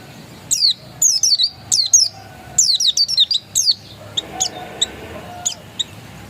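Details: Untrained dakun Oriental white-eye giving bursts of bright, high, falling chirps, then tailing off into scattered short, faint high notes.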